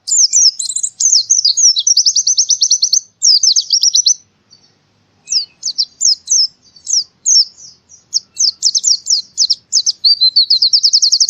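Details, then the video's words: Continuous, lively white-eye song from Central Java, Indonesia, as heard in the forest. Dense high twittering and trills with only one short break, finishing on a fast even trill. "masteran burung pleci suara seperti di hutan"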